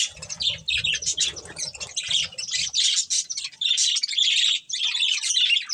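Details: Budgerigar breeding pair giving continuous scratchy chattering and chirps, with low rustling during the first three seconds, then steady warbling chatter.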